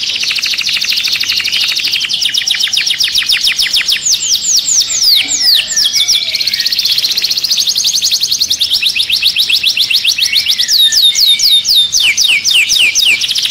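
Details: Canary singing to activate and stimulate birds for mating: continuous loud fast trills and rolled rattles, shifting speed between rapid pulsed stretches and descending swept notes, almost no pauses, nothing else heard.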